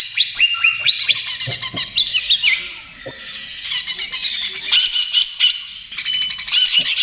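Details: Greater green leafbird singing trotol style as a lure and therapy: fast rising whistled notes, then fluttering chatter and repeated loud rattling bursts with brief whistles between.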